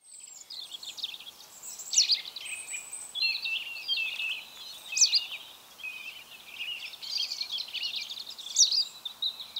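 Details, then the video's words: White wagtail recorded at Mønsted on 27 March 2020: a busy run of high, sharp chirping notes and short twitters, with louder bursts near two, five and eight and a half seconds over faint background hiss. "Hvid Vipstjert / White Wagtail (Motacilla alba)"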